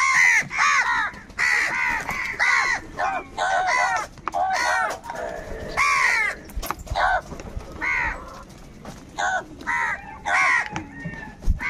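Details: Several crows fighting for food, calling in anger and unity: a dense, overlapping run of harsh nasal caws, some near and loud, others fainter, continuing without pause for nearly twelve seconds.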